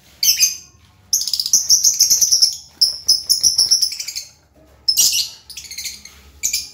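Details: Lovebirds, some singing vigorously (gacor), others resting or sitting in pairs; long runs of rapid, shrill, pulsing twitter broken by short pauses and harsh squeaky bursts.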